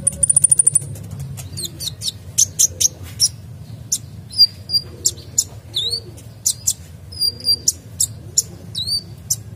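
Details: Lively kolibri dacok sunbird with full 'isian' song meant to coax other birds into singing: a fast buzzy trill opens, then spaced high sharp chirps and quick slurred whistle notes over a low background hum.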